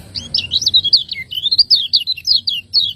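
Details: Kecial kuning, the lemon-bellied white-eye of Lombok, sings 'ciak ngejos' master song meant to train caged birds: a continuous run of high, thin, rapidly warbled and slurred whistles over a faint low hum.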